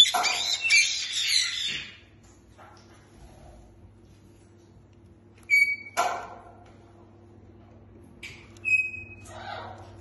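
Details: Caique parrots giving harsh chattering squawks for about two seconds, then quiet, followed by several clear, level whistled notes with scattered squawks between them.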